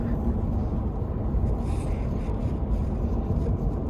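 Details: Steady low engine rumble from a moving car fills the recording, with no animal calls audible.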